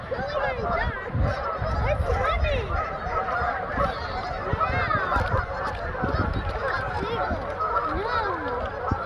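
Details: Hundreds of Canada geese on a frozen ice pond in Kleinburg, Canada, among ducks and gulls: steady, overlapping honking from the whole flock, many rising and falling calls layered together, with low wind rumble.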